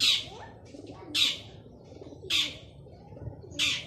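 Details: Lively singing male long-tailed shrike, meant to coax silent shrikes to sing; four loud grating, buzzy bursts spaced about 1.2 seconds apart, with soft scratchy sounds in the gaps.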